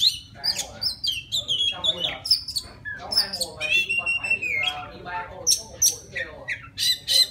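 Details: Forest Oriental magpie-robin singing to a female: rich sequence of clear whistles, buzzy chattering runs and long downslurred notes, ending in high thin repeated whistles, over a low constant hum.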